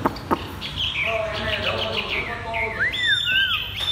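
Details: Caged Chinese hwamei delivering 'thắt cổ chai' song: a busy jumble of varied high whistles over soft lower warbles, then a clear rising-and-falling slurred note and sustained high whistles.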